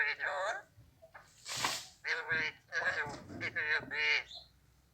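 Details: Talking raw Alexandrine parakeet saying Urdu, Hindi or Arabic words: quick, wavering, voice-like syllables in rapid bursts, with one harsh, broad screech partway through before more chattered phrases.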